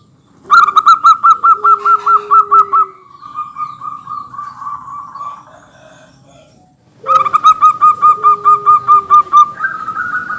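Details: Vigorous local zebra dove used as a lure so other birds call along: two loud bursts of sharply pulsed cooing notes, each trailing into a softer drawn-out trill, with a faint lower tone underneath.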